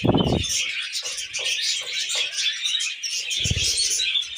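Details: Tamed pet budgies chirping indoors: a dense, continuous high twittering chatter with warbled notes, broken by low thumping handling or movement noises at the start and again near the end.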